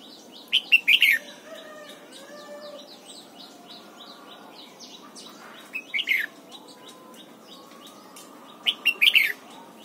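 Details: Red-whiskered bulbul singing in the morning during song training, pushed to deliver the 'double-note' wild-style song: three short bright warbled phrases of four or five rising and falling notes, spaced several seconds apart over a faint steady hiss.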